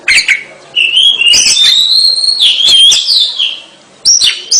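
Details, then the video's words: Oriental magpie-robin (kacer), singing gacor: a sustained clear whistle that rises and wavers for about three seconds, framed by brief sharp chips before and after. "Pesona kacer gacor terbaik"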